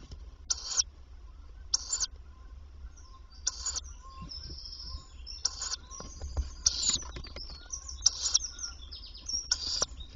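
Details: Tawny owl at a nest box on 27 May 2023, in daytime, when the female comes to feed the young: harsh, hissing bursts repeated roughly every one to two seconds, over a low background rumble.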